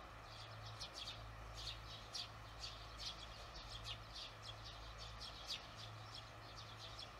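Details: Evening twittering of barn swallows, observed on 18 June 2020: rapid, thin, high chirps repeated almost without pause for several seconds over a constant low droning hum.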